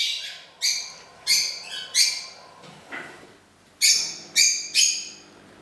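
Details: Pet parrot singing happy birthday to its owner on her actual birthday, surprising her after a month without saying it; bright, harsh harmonic notes in short bursts, about seven phrases spaced roughly half a second to a second apart, quiet room.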